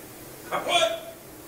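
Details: A talking African grey parrot utters a single brief, voice-like word, rising then falling in a clear speech-like tone, over faint room hiss.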